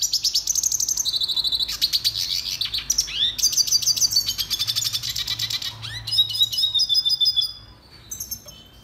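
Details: Red siskin (Spinus cucullatus) singing a long, fast, twittering song of high buzzy trills and sharp chirps with sweeping slurred notes. The song fades out near the end.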